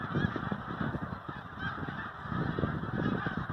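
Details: A snow goose flock on migration fills the air with massed honking, many birds calling at once in a steady, unbroken din.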